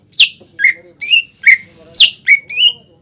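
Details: Lively greater green leafbird singing, offered as a lure for young or untrained birds to imitate: seven spaced, clear whistles, each a bright downward slide with a short buzzy edge, roughly two per second.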